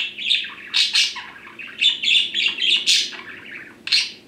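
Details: Male pet budgerigars kept apart: a string of bright, scratchy chirps and short squawks, irregular and fast, with a faint low hum underneath.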